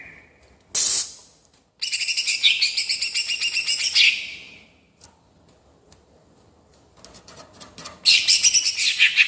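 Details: Greater green leafbird, rolling song style used to provoke rival birds: a harsh noisy burst, then about two seconds of dense, rapid high chattering, a quiet spell, and another loud chattering phrase.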